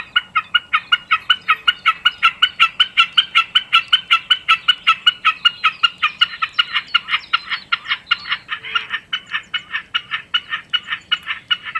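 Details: Common snipe singing a long, very even series of loud, clipped, throaty chip-per notes, about two and a half each second, with no other sounds.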